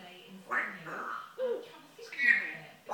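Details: Pet African grey parrot imitating human speech, swearing in a yam yam accent: several clipped, syllable-like utterances in quick succession, the last one brighter and higher, in a quiet room.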